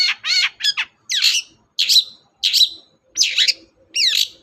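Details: Long-tailed shrike in steady full song, played to stir reluctant caged shrikes into singing: a series of harsh, buzzy, downslurred notes, about eight spaced roughly half a second apart, in a quiet room.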